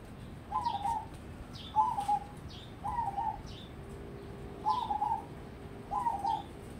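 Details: Perkutut zebra dove of crossbred stock, raised as a contest prospect, repeats short bubbling coo phrases about every second, five in all, with high thin downslurred chirps from another bird between them.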